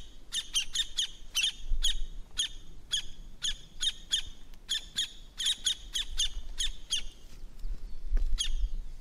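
Campo flicker giving loud, sharp, ringing 'kwik' notes in quick repeated runs of three or four, with a low background rumble.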